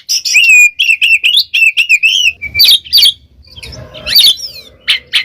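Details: Oriental magpie-robin (kacer) in lively full 'gacor ngeplong' song used to train pet birds: a run of clear whistled notes near the top of the range, then harsh buzzy chattering bursts and sharp high chips.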